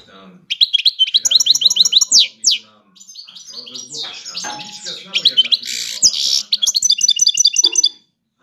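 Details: European goldfinch, five years old, singing long sequences of rapid high chirps and twitters with buzzy downslurred notes and a harsher squawk-like burst in the middle.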